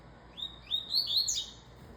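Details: Double-collared seedeater delivering one quick song phrase: short upslurred whistles stepping higher and higher before ending in a rapid, rich twittering burst, all over quiet background hiss.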